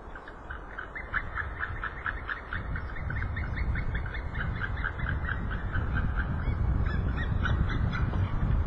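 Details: An eagle recorded on March 3, 2012, gives a fast chattering series of short, sharp, high notes, several per second, that continue steadily. A heavy low rumble of wind or noise grows louder toward the end.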